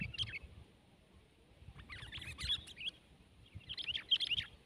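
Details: Sooty-headed bulbul (kutilang) competing in a fight with a rival: scattered, fairly soft, sharp chirps and short twittering bursts come in three groups over steady low background noise.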